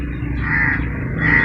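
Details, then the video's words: A crow, said to be male, gives two harsh, drawn-out, rasping, hoarse caws about a second apart in the morning, over a steady low rumble like distant traffic. "Crow Calling Crow Sound Effect in the Morning/Crow loud sound"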